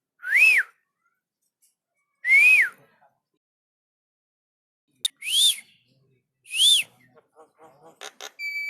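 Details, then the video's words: Asian pied starling, nodding its head while singing: four loud, clear, arched whistles spaced about 1.5 seconds apart, followed by a quick run of short dry clicks and ticks. "Burung jalak kebo manggut manggut"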